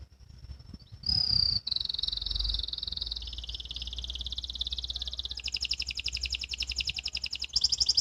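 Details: Canary in training, learning ngriwik song: a thin whistle swells into a loud pure note, then long, dense trills that drop lower, then leap to a higher, harsher rattling roll, with soft low rumble beneath.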